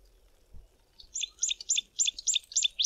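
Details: Tawny-flanked Prinia in bushes near a stream gives a fast series of high, sharp, double-noted chirps, about four per second and growing louder, in otherwise quiet surroundings.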